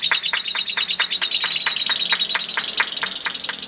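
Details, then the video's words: Long lovebird chatter from a contest bird, a rapid, rolling string of high, buzzy notes, about three per second, continuous and even. "Kicauan Pertarungan Love Bird Ngekek Panjang"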